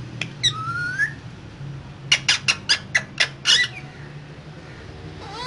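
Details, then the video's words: Two caged green parrots: a rising whistle, then a quick series of sharp clicks and squeaks, over a low room hum. "Two Green Cute Parrots Talking In Cage So Cute"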